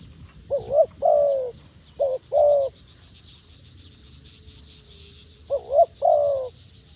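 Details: Wild dove gives low, mellow coos in pairs, each a short quavering note followed by a longer sustained one, repeated three times. A high pulsing insect drone runs underneath.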